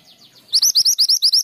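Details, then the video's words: Mountain mantenan female calling the male, a quick run of bright rising chirps repeated about eight times a second, preceded by soft faint descending notes. "Mantenan gunung betina memanggil jantan"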